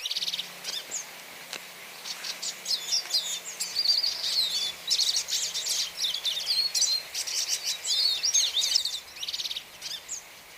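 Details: Hooded siskin singing: a long, rapid, high twittering run of thin whistles, chirps and buzzy trills, varied and continuous for about nine seconds before pausing, over a faint low hum.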